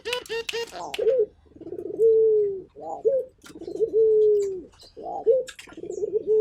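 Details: Indonesian local puter, a Barbary dove, in lively calling: short chirpy notes at the start, then low, throaty, rolling coos with long held tails, repeated steadily.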